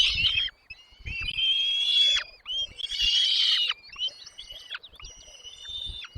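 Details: Nestling birds in the nest calling as the parents bring food: harsh, raspy, high-pitched begging bursts lasting one to two seconds, repeated with short gaps, with faint rustling below.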